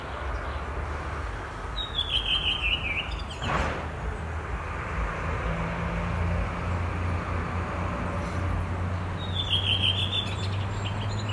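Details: A redwing singing on a branch in Estonia gives two short phrases of clear, slightly stuttering falling notes about seven seconds apart, over a steady low rumble of distant traffic.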